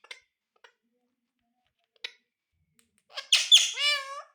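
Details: Ringneck parrot, a talking bird, gives a few faint clicks and then a loud burst of raspy, speech-like syllables ending in rising, gliding tones.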